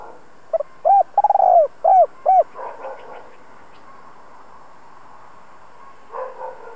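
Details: Two-ending spotted dove used as a decoy to stimulate fresh-caught birds; one clear phrase: a clipped double note, a rolling tremulous coo sliding down, then two hollow rounded coos, followed by quiet rustling.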